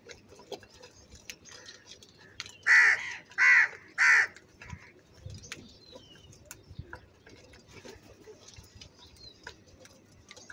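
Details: Crow calling loudly, described as angry: three harsh, rasping caws in quick succession near the middle, then quieter background with faint distant bird notes.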